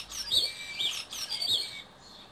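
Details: A male common starling at a nest box on a balcony in Berlin sings a courtship song of squeaky, high whistles and scratchy chatter, with three bursts in quick succession.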